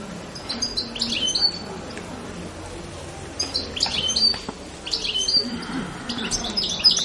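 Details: Goldfinch calls: clusters of quick, sliding high notes and tinkling chirps, coming in bursts every second or two, loud and clear over a soft background hiss.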